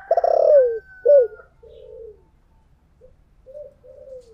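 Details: Decoy spotted dove in the 'thổ' voice style, opening with a loud rough burred coo and a short hooked note, then trailing off into quiet soft coos.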